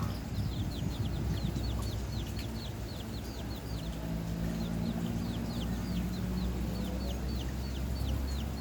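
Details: Red junglefowl: a dense series of thin, high, down-slurred peeps, repeated rapidly and overlapping throughout, over a steady low rumbling background noise.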